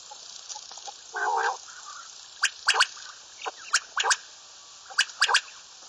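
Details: Common quail: sharp, clicky notes in groups of three, spaced about 1.3 seconds apart, after an earlier low, gurgling burst, all over steady hiss.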